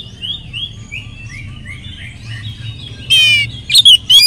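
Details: Oriental magpie-robin lure song with a varied repertoire; faint slurred whistles at first, then a loud buzzy burst and two sharp, swooping whistled notes.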